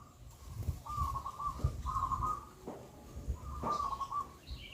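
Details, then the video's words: Zebra dove of the local wild type, a loud and prolific singer, recorded as a lure to prompt other doves to sing: three bursts of rapid, rolling, trilled cooing notes about a second and a half apart, over low rumbling background noise. "Pancingan burung perkutut Lokal Alam super Gacor suara Besar"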